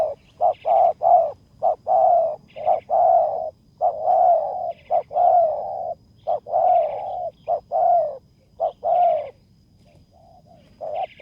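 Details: Spotted dove calling during decoy luring of a rival at a bare-earth site: a run of mellow coos, short clipped notes mixed with drawn-out ones, nearly one a second, with faint higher chirps from another bird and a calm background.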